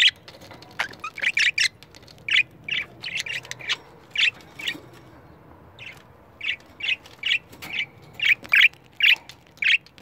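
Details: Budgerigars kept as pets, agitated by a camera, give a quick cluster of harsh chirps, then a steady run of rasping squawks spaced about half a second apart.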